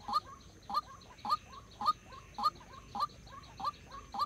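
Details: White-breasted waterhen used as a decoy in trapping, uttering a quick hooked note, sometimes with a softer echoing second note, repeated about every half second over light background hiss.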